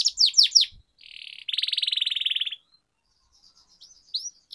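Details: Canary singing for training: a few quick descending whistles, then a soft buzz and a loud, even rolling trill lasting about a second, followed by faint scattered notes.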